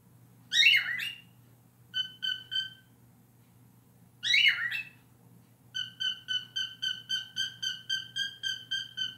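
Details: Pet cockatiel that learned to honk and to sing a scream song: two harsh, broad screeches are followed by runs of clear, evenly spaced whistled notes, about two per second near the end.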